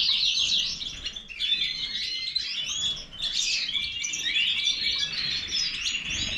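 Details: European goldfinch, Major type, singing lively twittering phrases of clear high chirps and rippling trills, with a short dip in volume around three seconds.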